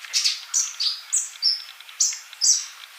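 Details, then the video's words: Olive-backed sunbird, a male singing steadily as a song model for young birds that are not singing yet: about seven short, piercing high whistled chirps, some flat, some dipping, spaced roughly half a second apart. "Kolibri Ninja Jantan Gacor buat masteran yang masih bisu"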